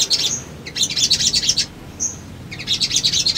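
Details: Male sunbird song used as a lure to provoke a response and seek a rival: rapid bursts of high, sharp chirps and buzzy twitters, with short clear whistled notes between phrases and a brief pause mid-recording.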